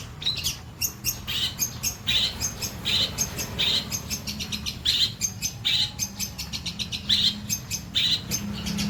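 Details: White-breasted long-tailed shrike repeating short chattering phrases more than once a second, each a quick bright burst of mimicked notes.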